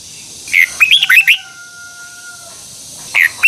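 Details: Red-whiskered bulbul morning song for training birds, 2021, twisting double-voice style: a burst of quick chirping, slurred notes, then a long steady pure tone in the background, and a brief final phrase beginning.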